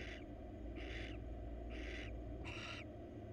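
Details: Four harsh, hissing screeches from a wild female barn owl crawling in her nest box for attention, spaced about 0.7 seconds apart, backed by steady hum.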